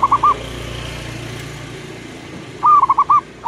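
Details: Local zebra doves answering each other at morning: a short pulsed coo fragment, then a steady hiss of background noise, then one clear rolling trilled phrase near the end.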